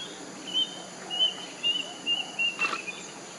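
Plaintive cuckoo giving a run of about six thin, high whistled notes, roughly two per second and sliding slightly lower, with a brief rustle and faint background hiss.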